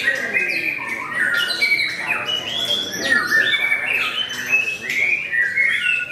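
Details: Competing white-rumped shama at Mahendra Arena sings bright whistled notes, slurred upward and downward, with quick trills, amid other contest birds and faint human voices.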